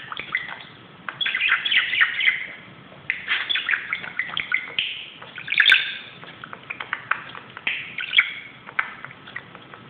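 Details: Excited pet budgerigar on a closet indoors gives long stretches of busy scratchy warbling mixed with squeaky chirps and clicks, with short pauses and a sharp tap near the middle.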